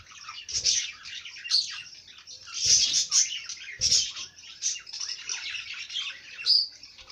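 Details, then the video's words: Bird song: dense, continuous high chirps and twittering, with brighter whistled notes near 1.5, 2.7, 3.9 and 6.5 seconds and a few soft low thumps underneath. "Bird sing song madár ének"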